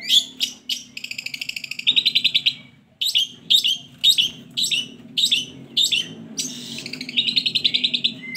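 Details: Long-tailed shrike song played to provoke lazy shrikes into singing: loud sharp calls interleaved with fast buzzy trills, a short pause, then a series of emphatic high notes and another rapid trill.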